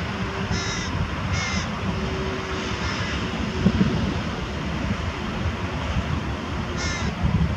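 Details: Carrion crow carrying prey and feeding its young near Diemerbos on 22 July 2020: three harsh, ringing calls, two close together early and one near the end, over a steady low rumble.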